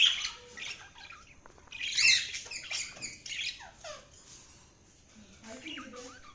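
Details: Budgies chirping: a busy mix of short scratchy chirps, downslurred whistles and squeaky notes from several birds, fairly quiet and irregular, with brief pauses.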